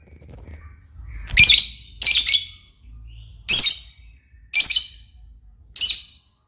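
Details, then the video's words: Lively lovebird repeating loud, grating high squawks, five in all, roughly one every second, over a soft low rumble. "burung Lovebird paling keren dan gacor"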